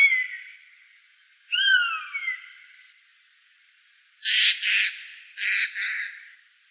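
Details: Eurasian jay, Wittlicher Tal, 2018: two thin descending whistled notes, then a pair of loud, coarse, rasping screeches close together.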